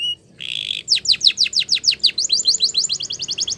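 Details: Song of a Spanish Timbrado canary, played for canary training. A short buzzy rattle opens it, then a rapid run of sharp descending notes, then a faster, higher trill of tiny repeated notes. The song is close and clean.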